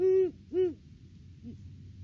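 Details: Great horned owl pair duetting at their nest tree on 3 December 2022, off-season before February egg laying: two deep, even hoots half a second apart, then a fainter, softer third note, over a low background rumble.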